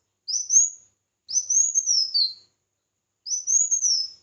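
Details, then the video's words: Three clear whistled phrases from a red-whiskered bulbul singing competitively, each rising then sliding down, spaced about a second apart in otherwise quiet surroundings. "Chào Mào Hót Đấu"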